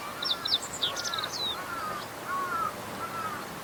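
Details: Meadow bunting in a reed bed on a fallow rice field, spring 2021: a rapid high phrase of chirps ending in a downslurred note, while another bird gives lower drawn-out whistles repeatedly underneath.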